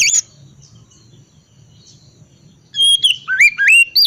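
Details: Ngriwik wiksar style singing of an Oriental magpie-robin, cold type, meant to coax quiet magpie-robins into song: a short high note, a long near-silent stretch with faint low hum, then a burst of rapid, looping whistles and clicks.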